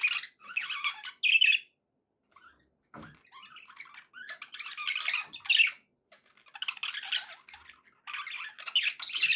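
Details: Pet budgies in a happy mood give bursts of rapid, scratchy warbling and sharp chirps, broken by short silences, with a faint knock near the middle.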